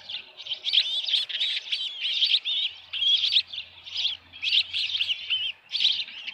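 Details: Dunrovin Ranch Osprey nest, 10 June 2018 at 6:41 PM, headless fish present: a string of twittering, slurred high chirps in uneven groups, with a low steady hum in the background.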